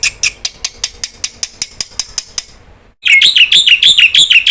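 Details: Black-winged starling in full voice, used as a lure to get other starlings calling: a run of sharp clicking ticks breaks off, then loud, rapid, scratchy chirps pour out in a dense, repeated burst.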